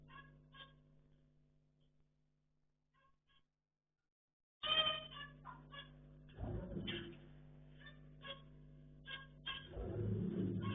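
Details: Pet zebra finches playing, a few faint nasal notes, then a run of short buzzy, trumpet-like calls every second or so, with rustling and scraping noises over a low hum.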